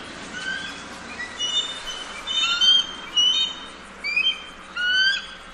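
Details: Bald eagle calling: thin, high whistled notes, some slurred upward, scattered irregularly over a few seconds, with faint background hiss.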